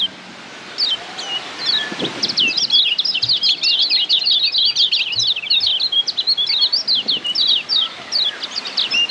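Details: A Lombok yellow white-eye (kecial kuning) sings a long, rapid, nearly continuous run of high, thin twittering and chattering notes over faint background hiss.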